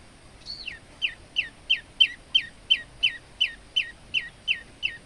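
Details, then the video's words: Male olive-backed tailorbird, kept as a training bird for other songbirds, repeating a sharp, descending whistled note about three times a second, a dozen in a row, each note falling steeply, quiet background. "burung prenjak lumut gacor untuk masteran"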